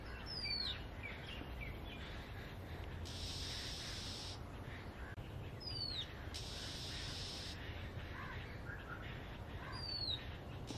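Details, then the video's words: An Asian grey robin sings high, thin whistled notes that slide downward, repeated every five seconds or so, over a steady low rumble and bursts of buzzy insect-like hiss. "The singing robin bird"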